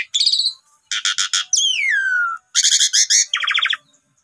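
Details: Lure recording of Asian pied starling song meant to draw out other birds' singing: buzzy rattles, a long clear whistle sliding downward, then loud harsh rattling phrases and a dry trill.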